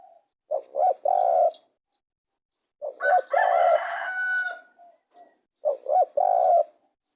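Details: Spotted dove three-part coo phrases, two short notes and a longer held note, repeated, broken in the middle by a loud harsh crowing sound, with a thin high ticking in the background.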